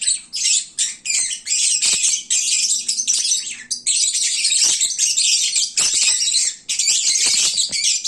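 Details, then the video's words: Full, drowsy lovebirds at noon creating a bird-market racket: dense high squeaky chattering with short breaks, voices piling over each other. "Kicauan Lovebird saat mengantuk. Duuh berisiknya !!!"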